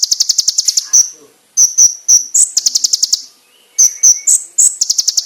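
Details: Konin singing a master song used for training other birds, with sharp, loud, clear bursts. Very high buzzy trills of rapid pulses alternate with piercing single whistled notes, separated by short pauses; faint lower chirps sound in a gap.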